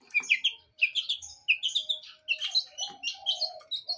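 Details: Long-tailed shrike imitating a sparrow in fighting mood. Short phrases of bright, slurred chirps are delivered in quick clusters about every three-quarters of a second. A soft, steady low tone runs underneath.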